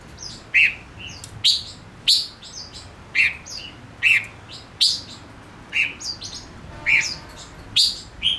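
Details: Male Gouldian finch singing as a decoy to attract wild birds: a rapid, uneven run of loud bright chirps mixed with thin high squeaks, carrying on without a break.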